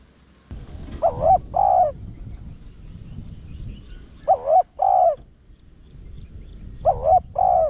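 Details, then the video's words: Spotted dove cooing in the 'Rặc Đồng' voice style, played to lure wild doves: three low, mellow coo phrases about three seconds apart, each a quick wavering note then a longer steady one, over a faint low rumble. "Cu gáy Thúc giọng Rặc Đồng kích bổi siêu nhạy/kích cu rừng nhanh về/bổi nghe nhanh gáy"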